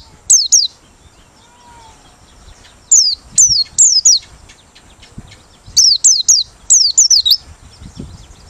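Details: Merapi 'ngalas' white-eye singing with open beak, recommended as a lure: high, sharply dropping whistles, first a pair, then a longer gap, then two runs of three to five notes.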